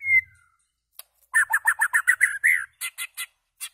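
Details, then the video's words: White-rumped shama singing loudly: a rapid run of rich whistled notes around the middle range with bright high clicks, a rising slurred whistle, then several separate sharp notes. "White-rumped shama singing loud"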